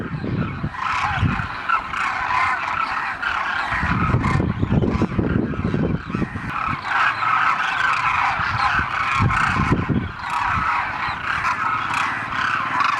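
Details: A huge flock of demoiselle cranes at Khichan, Rajasthan, India, on a late-morning visit: about 5,000 birds feeding on spread grain in a courtyard and as many circling overhead, in a dense, continuous chorus of rolling, trumpeting croaks with low wind rumbles.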